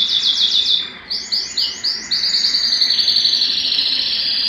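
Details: Excited domestic canary singing, wanting to mate: rapid repeated trills of bright descending notes, switching between several fast phrases in quick succession.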